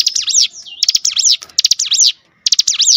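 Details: Cinereous tit singing as bait to provoke rivals: loud, tightly packed bursts of high, sharp notes sweeping down and up, phrases following each other closely with one brief pause.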